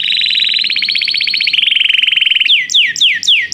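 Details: Canary calling a companion to sing, in song training: dense fast rolling trill held for over two seconds, then five loud descending swooping whistles roughly every quarter second.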